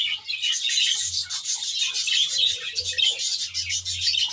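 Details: Many budgerigars chattering together in an aviary, a busy overlapping stream of thin squeaky twitters and rapid chirps with no pause, over a faint low hum.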